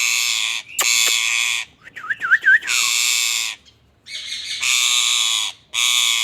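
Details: ['Indian ringneck parakeet alternating long rasping screeches with a quick burst of wavering whistled notes in the middle, then more harsh drawn-out squawks.']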